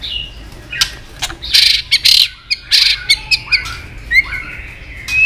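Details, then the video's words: Female white-rumped shama call played to make males eager to fight: loud harsh hissing rasps alternating with brief clicks and a few short, high rising whistles. "Chòe lửa tạch líu giọng mái kích lửa"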